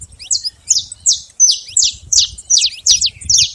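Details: Saffron finch, free in the wild, singing a run of about nine sharp, high, downslurred chirps, roughly two or three each second, with uneven spacing. Soft low rumble underneath.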